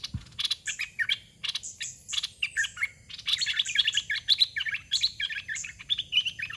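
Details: Caged red-whiskered bulbul used as a decoy to lure wild birds: short, bubbly, warbled phrases of a few liquid notes, given in quick succession with brief pauses. Faint buzzy rattles are heard between the phrases.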